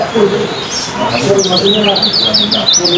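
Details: Contest-kept yellow kecial, a competition songbird judged on speed and song duration, giving a run of quick, high, wavy whistled chirps in the second half, with a crowd talking in the background.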